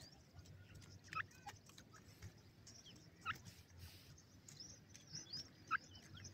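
A francolin gives three short, sharp call notes spaced about two seconds apart over a steady low rumble of background noise.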